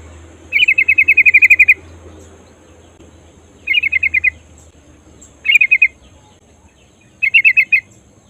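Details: A female yellow-vented bulbul's rolling call to draw in a male: a long fast trill of clipped chirps followed by three shorter bursts every couple of seconds, over a soft steady hum.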